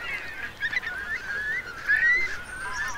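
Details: Around 3,000 Eurasian curlews crowding the Marquenterre wet meadows on the Bay of Somme at high tide, 7 October 2021. Long, sliding whistles overlap continuously, one prominent rising whistle standing out over the flock.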